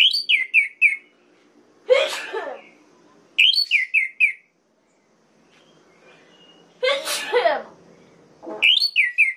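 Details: Provocation song of an orange-headed thrush: repeated series of four or five falling whistled notes, alternating with harsh, broad rasping bursts, the pattern cycling about every three to five seconds.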